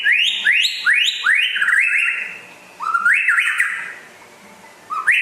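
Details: White-rumped shama from West Aceh, described as rare and singing vigorously: loud whistled notes sweeping upward, repeated in quick bursts with a pause, then more rising phrases.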